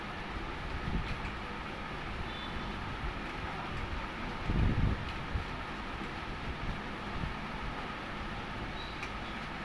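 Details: Steady rumbling traffic or train noise fills the recording, with a low thud near the middle and no clear animal voice.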